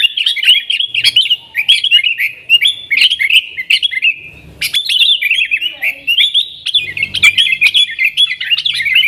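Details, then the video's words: Yellow-vented bulbul giving powerful 'nggaruda' song as a lure for wild sooty-headed bulbuls; fast, slurred, chattering notes run continuously, rising in intensity after a brief lull near 4.5 seconds. "TRUCUKAN GACOR Nggaruda Super Ampuh Untuk Suara Panggilan Burung Kutilang Liar"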